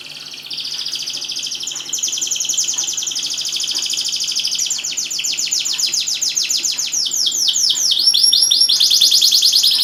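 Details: Canary song used to encourage silent canaries to sing: an extended high rolling trill that shifts into faster clipped repeated notes and then swooping looped phrases, growing louder toward the end.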